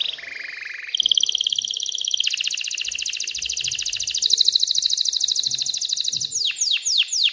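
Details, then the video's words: Excited canary singing to encourage females to mate and build a nest: a buzzy opening, then a long rapid rattling trill of around four seconds, finishing with loud sweeping downslurred notes. "تغريد كناري هائج لتحفيز الاناث على التزاوح وبناء العش"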